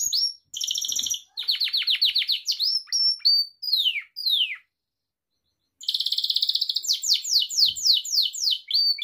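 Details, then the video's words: Pet Gloster canary song used for training other canaries: varied tours of rapid chirps and descending sweeps, a long silent pause, then a buzzy trill running into a series of falling whistled notes. "Gloster Kanarya Kuşunuzun Eğitimi İçin Orjinal Kanarya Sesi Gloster Kanarya Ötüşü Canary Singing"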